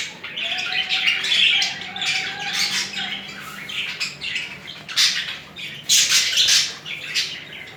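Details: Budgerigar pair mating and behaving romantically, producing harsh squawks and scratchy chatter in uneven bursts, louder squawks near the end, indoors.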